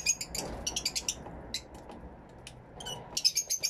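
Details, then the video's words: In an aviary, Fischer's lovebirds utter clusters of quick, shrill, squeaky chirps, a short quiet gap, then another rapid run of high twittering notes, caught with a camera and two external microphones. "Mes inséparables Fischer's lovebird"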